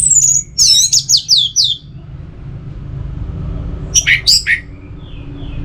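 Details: Orange-headed thrush song from Singaraja in northern Bali, played to prompt singing: high thin whistles followed by a cascade of descending slurred notes, then a pause and a short loud burst of downslurred notes.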